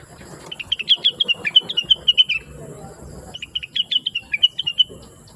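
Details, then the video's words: Rengganis or cucak wilis, the blue-winged leafbird, in lively chattering song used as a master recording to teach trucukan and other songbirds. Fast run of bright twittering notes, a short break, then another rapid burst. "Rengganis / Cucak Wilis Gacor Cerewet Suara Merdu || Masteran Terbaik untuk Trucukan dan burung lain"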